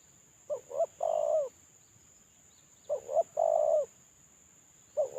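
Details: Moulting spotted dove calling as a lure: two hollow three-part coo phrases, short-short-long, about two seconds apart, with the start of a third, over light background hiss and a constant thin high tone.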